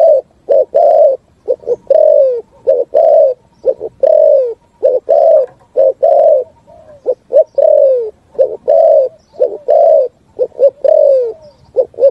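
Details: Full 'thúc gù' song from a spotted dove, echoing through forest: a long, unbroken series of short double coos alternating with long, slightly descending coos at a brisk, regular pace.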